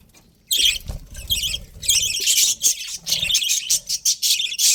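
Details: Budgie chatter begins after a moment of near silence, then runs in loud bursts of high, crackling twitters and squeaky chirps, with faint low rustling underneath.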